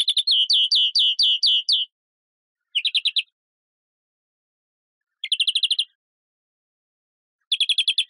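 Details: European greenfinch song: rapid rattling trills of bright chirped notes, each burst one to two seconds long, repeated after pauses of about a second, in otherwise silent surroundings.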